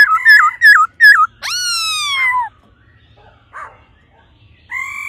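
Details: Female laughingthrush giving a 'ro ro' call to quickly stimulate the male: quick wavering whistled notes, then a long falling harmonic-rich whistle, a pause, and a short rising note at the end.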